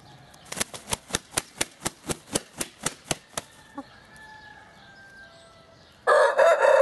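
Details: Oriental Gamefowl (Hint Horoz) rooster recorded in March 2012, with an old black-and-silver cock of 4.1 kg and his multicoloured son present; a dozen steady wing claps, then a loud harsh crow begins and is cut off.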